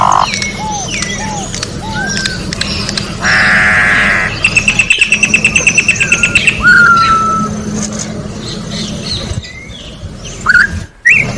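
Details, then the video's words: Wild orange-backed troupial song: scattered whistled slurs, a loud buzzy rasp, a fast run of clipped repeated notes, then a downward whistle and a few sharp notes, with a constant low droning background. "Corrupião Cantando na Natureza melhor canto pra encarte Corrupião"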